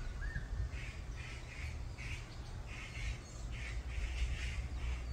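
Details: Brown-eared bulbuls in a group fight give harsh, scratchy squawks in quick bursts, about four a second, over a steady low rumble of wind or handling noise.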